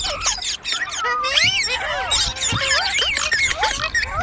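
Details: Ringneck parrot talking and making funny sounds: a lively run of chirpy, wavering whistles and squeaky syllables, steady in loudness throughout.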